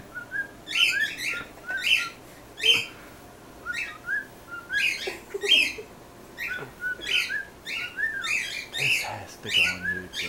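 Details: A male pet cockatiel that loves his new bell sings and talks with rapid, repeated squeaky chirps and whistles, sticking his head into the bell as it jingles.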